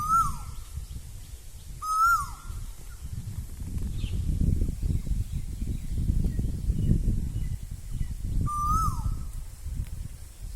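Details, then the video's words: Asian koel calling in spring (Bohag) in Assam: clear whistled notes that slide sharply downward, given three times several seconds apart, over a steady low rumble of wind or distant traffic. "কুলিৰ মাত kulir mat"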